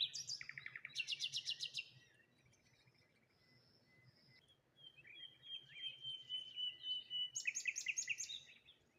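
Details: Birds chirping cheerfully one morning by the water among rose hips and a lone tree. A fast, rattling series of bright notes opens, a pause follows, then looser twitters and another rapid repeated burst.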